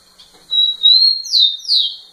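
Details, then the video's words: Rufous-collared sparrow singing in a female's face: a long level whistle rising slightly, then two loud down-slurred whistled notes. "Tico tico cantando muito na cara da fêmea"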